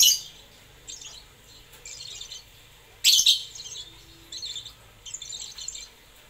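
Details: Lovebird giving high, scratchy chattering bursts in short clusters separated by pauses, with two louder, harsher shrieks, at the start and midway.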